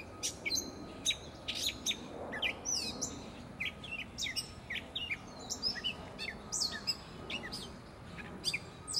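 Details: A Gray Catbird (Dumetella carolinensis) sings from a tree in Prospect Park, Brooklyn: a rambling, unbroken jumble of squeaky, chattering and mewing high notes, with a faint steady hum and low rumble behind.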